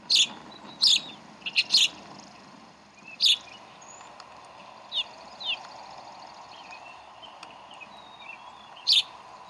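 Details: Decorah bald eagles at the nest, 11 April 2012, chicks being fed. Quick bursts of sharp high chips early on, then sparse soft slurred whistles and a final bright chip, all over a steady hum.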